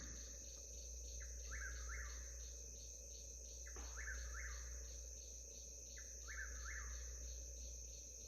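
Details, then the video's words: Eastern Whip-poor-will singing at 5 a.m., a little before daylight, on an Alabama homestead in the Black Belt: a three-part rising whistled phrase repeated about every two seconds, over a steady high insect drone and low hum. "It's 5 a.m., a little before daylight. I hear that whippoorwill."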